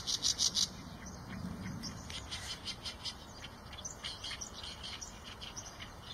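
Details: Eurasian tree sparrow calling: a quick burst of four loud, high chirps at the start, then softer, uneven chirping over a steady low rumble.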